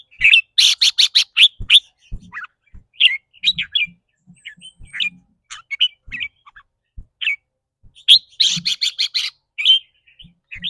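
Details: Caged red-whiskered bulbul giving a rapid trilling ‘rik’ song, which varies with the bird's mood that day. Quick runs of loud, sharp, buzzy notes open and close the clip, with scattered chirps between and soft low thumps.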